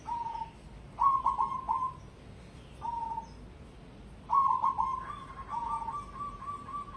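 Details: Competition-spec cemani perkutut, a zebra dove, delivering its song: lone coos alternating with bursts of rapid stuttering notes that slur into a sustained, level, fluty tone.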